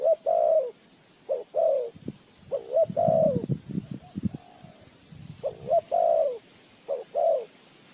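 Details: Spotted dove cooing as a decoy for catching birds; repeated phrases of a short note followed by a longer falling coo, with bursts of low scraping and knocking in the middle.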